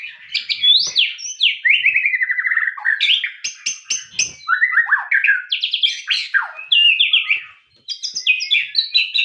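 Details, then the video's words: Long varied song of a white-rumped shama, mixing rapid trills, downslurred whistles and bright rising notes in quick phrases, with occasional sharp clicks between them. "MURAI TAMBAH NGOTOT DENGAR SUARA ASLI INI"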